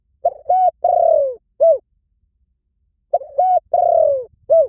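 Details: Two complete spotted dove phrases, each two short coos, a long gently falling coo and a short downward final note, separated by about two seconds of silence.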